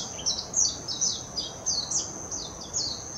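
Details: Warbling white-eye from Hashimoto in Wakayama Prefecture, Japan, 26 June 2021, Nikon Coolpix P900: lively high-pitched twittering of downslurred chirps in quick bursts, over a steady high buzzing background.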